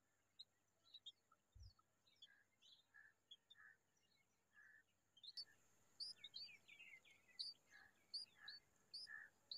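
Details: Bulbul sitting together with her chicks; short high chirps and tweets come in bursts, some notes around the middle pitch and many thin upward-flicking high notes, quickening in the second half, with a steady faint background hum.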